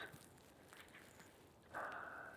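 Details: Many fieldfares (Turdus pilaris), a large flock in the trees overhead on a frosty, frozen morning, give faint scattered notes and then one loud, harsh, grating chatter, with outdoor rustle underneath.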